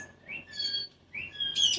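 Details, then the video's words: Pet cockatoo chatting with its owner indoors: rising whistled notes with bright overtones, repeated twice, ending in a harsh buzzy squeal. "Chatting with Hero the cockatoo"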